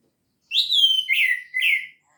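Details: Orange-headed thrush in 'gacor teler' song, recorded as a lure for shy singers: three clear, sweet whistled notes, each sliding downward, delivered back to back within about a second and a half.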